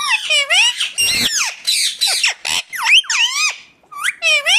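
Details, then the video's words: {'caption': 'Indian ringneck parakeet: harsh, rasping squawks with swooping pitch, some falling sharply and others rising, packed closely together with short breaks between bursts.'} "ringneck 🦜 natural sound"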